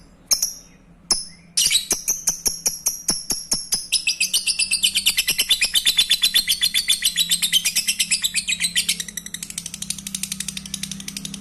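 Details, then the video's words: Lovebird singing to stimulate breeding: two high squeaky chirps, then a fast run of clicking ticks that thickens into dense, continuous high twittering chatter before easing off near the end. "Pancing birahi Lovebird anda dengan suara Lovebird ini"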